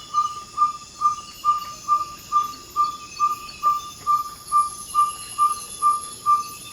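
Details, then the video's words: Ferruginous pygmy owl calling just before dawn in the Ecuadorian Amazon rainforest: its territorial advertising call, a steady series of short, even 'toop' whistles, about two per second, over a high insect drone. "Ferruginous Pygmy Owl Call & Sounds"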